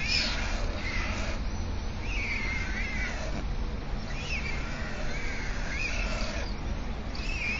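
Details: A pair of White storks at a nest on Alcalá de Henares town hall greet each other by clattering their bills in a fast, dry, rattling burst that runs steadily through the clip. Thin chirping calls from other birds sound above it.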